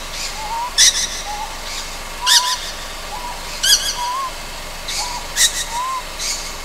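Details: Juvenile Ryukyu scops owl, Amami Ōshima, after dark: grating, hissing calls about every one and a half seconds, interleaved with soft, rising whistles.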